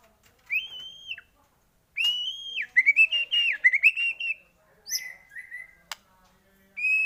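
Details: White-rumped shama lure song meant to stir other shamas to sing: clear high whistled phrases, a rapid wavering run of notes in the middle, then scattered short whistles with brief pauses.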